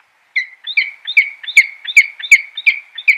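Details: Peregrine falcon (Falco peregrinus) giving a fast, steady series of sharp, slightly squealing high-pitched notes, about two and a half per second, against a clean, quiet background.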